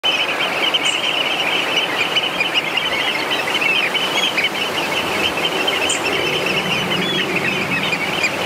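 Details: Eurasian oystercatcher (Haematopus ostralegus) flock at a high-tide roost on Middle Eye, Hilbre Island, Dee Estuary, 25 September 2014: a dense, constant chorus of shrill, high piping calls over faint background noise.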